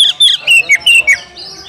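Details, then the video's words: An Oriental magpie-robin calls for a rival to fight. Across this short stretch come several clear whistled notes in quick succession, each sliding downward, with a faint higher whistle at the end. "panggilan kacer mencari lawan tarung biar tambah ngotot buka ekor bongkar materi full emosi"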